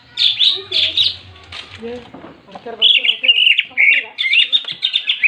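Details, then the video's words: Fighting song of a greater green leafbird, full 'ngentrok jenggrik', intended to stir up rival leafbirds: loud squeaky phrases, then a busy stream of quick twittering and whistled notes about two per second. "CUCAK IJO TARUNG FULL NGENTROK JENGGRIK DI JAMIN BIKIN EMOSI CUCAK IJO LAIN"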